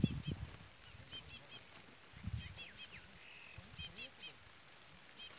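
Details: Chestnut-bellied seed finch (curió pardo) with a chick peeping throughout: repeated groups of two or three high peeps, a short sliding whistle and a level tone midway, with thumps and low background noise.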